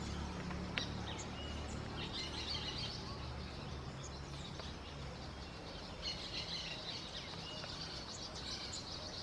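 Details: Spectacled parrotlets (Forpus conspicillatus) feeding on tree fruit give quick, thin, high chirps in scattered, irregular chatter over a steady low rumble of wind or distant traffic.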